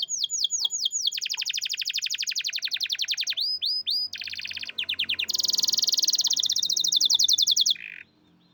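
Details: Champion canary singing a loud, fast song of rapid repeated trills, clipped high notes and downward-sweeping whistles, with syllable types changing every second or so before stopping abruptly.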